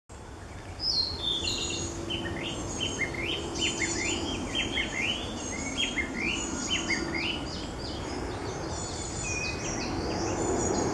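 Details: A Narcissus flycatcher sings at Lake Utonai, Hokkaido, on 11 July 2014: a fast series of bright, slurred whistled phrases, rising and falling, over steady low background noise.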